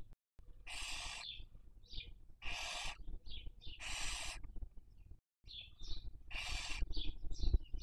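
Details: Barn owl (Tyto alba) raising young, 2023 breeding season, nest webcam in Cabañeros National Park, Spain: three drawn-out rasping hiss-screeches spaced about two seconds apart, interspersed with brief high chittering notes.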